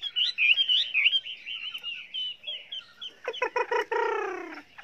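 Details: Chinese hwamei song in many voices for training other birds; quick warbled whistled phrases, then a series of harsh rasping notes ending in a long nasal descending call.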